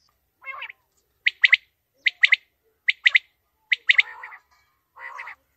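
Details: Quail calling: a repeated, clipped three-note phrase, the first note short and the next two quick and bright, given about every 0.8 seconds, with a softer, buzzier note at the start and end.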